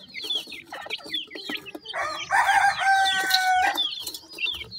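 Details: Mikado pheasant chicks busy eating while their mother brings them out to feed: rapid high downslurred peeps, broken by a louder, longer, steadier call in the middle.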